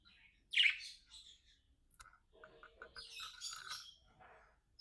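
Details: One loud sharp chirp from a pair of pet budgies is followed by quieter clicking notes and then a soft buzzy chatter of mixed squeaks.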